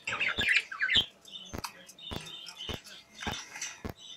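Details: Pet budgerigars playing in a cage: busy warbling chirps and squawky chatter, loudest at the start, with sharp clicking taps recurring about every half second to second throughout.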